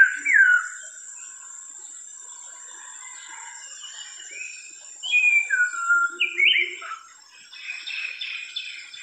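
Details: White-rumped shama singing beautifully: clear whistled phrases with a bright descending slur at the start, a pause, then a burst of varied fluty notes and quick slurred figures, over a steady thin high-pitched whine throughout.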